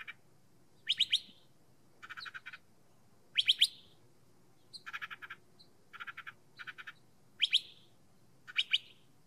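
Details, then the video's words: A curve-billed thrasher, a desert bird often perched on cholla cactus and able to mimic other species, sings short bursts of rapid, raspy clicked notes alternating with sharp, bright whistled phrases, roughly every second, over faint hiss. "Curve-billed Thrasher Bird - Songs and Calls"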